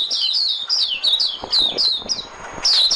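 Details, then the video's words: Decoy white-eye singing to attract birds for trapping: a continuous chatter of thin, high, wavering and descending notes, ending with a louder chirp. "Tiếng chim mồi - Tiếng chim khuyên mồi hay nhất 2017"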